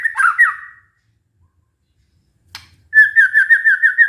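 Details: White-rumped shama singing, used as a lure for a stressed, silent shama. A short, warbled phrase, a two-second pause, then a steady, rapid trill repeated about three times a second.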